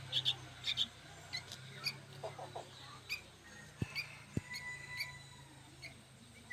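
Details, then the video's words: Young sooty-headed bulbuls, known locally as kutilang, calling noisily. Short, thin, high squeaky chirps come in quick irregular bursts, roughly two per second. Two sharp clicks and a steady low hum sit underneath. "SUARA BURUNG ANAKAN KUTILANG PALING RIBUT BERBUNYI"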